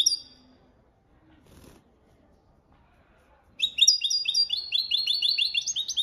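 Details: Jilguero (European goldfinch) in copia malaga training song: after a short note and near silence, an unbroken stream of quick, bright, repeated tinkling notes fills the final two and a half seconds.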